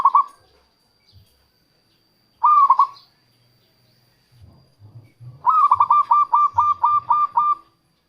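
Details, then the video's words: Zebra dove of a local strain, its song played to draw wild doves and to stir lazy singers: two soft cooing phrases, then a long run of about ten quick, evenly repeated coo notes. "suara perkutut lokal untuk pikat dan pancingan"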